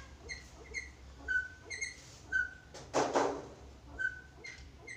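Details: Black-capped lory, used as a master bird for training, giving short clipped whistles repeated roughly every half second, a few longer flat notes, and a brief knock midway.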